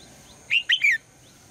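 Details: Single morning call of a female red-whiskered bulbul calling to prompt the male to sing: a quick, clear three-note whistled phrase, the last note slurring downward.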